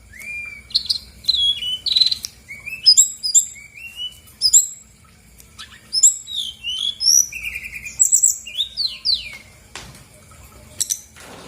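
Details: Brown-chested jungle flycatcher song used as a lure to provoke reluctant birds into singing: a rich, fast, varied phrase of sharp, high whistles and slurred upward and downward notes, with short gaps and a scratchy rustle near the end.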